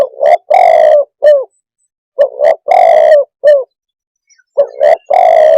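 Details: Spotted dove cooing in repeated phrases of a quick double coo, a long level coo and a short clipped coo, three phrases about two seconds apart. The background is silent.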